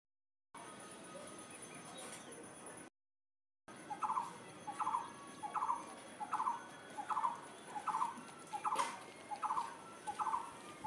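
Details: An unidentified bird, filmed by someone who could not tell what it was, gives short mid-pitched clipped notes, each a tiny chattering burst, repeated steadily about every 0.8 seconds after a brief gap, over a constant high background hiss.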